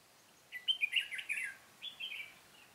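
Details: Red-whiskered bulbul recorded during trapping on 13 March 2017: a short burst of bright, warbled whistles rising and falling, then a second briefer slurred phrase after a pause, over quiet background hiss.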